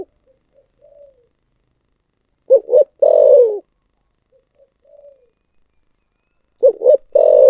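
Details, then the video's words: Spotted dove cooing in the 'thổ sấm' style: soft quiet introductory notes lead into two short hoots and a long, descending, throaty coo, the whole pattern recurring roughly every four seconds. "cu gáy giọng thổ sấm// chim cu gáy giọng thổ sấm chuẩn nhất"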